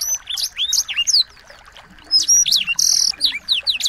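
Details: Small birds singing as tutor song for a white-rumped shama: quick whistled slurs and chirps, a short silence, then more sweeping notes and a harsh buzzy burst.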